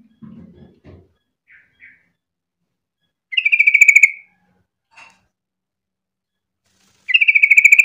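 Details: Singing trucuk, the sooty-headed bulbul, used to draw other bulbuls into song: low thumps and faint chirps open, then two long bursts of rapid, bright, pulsed notes about four seconds apart, with a soft click between.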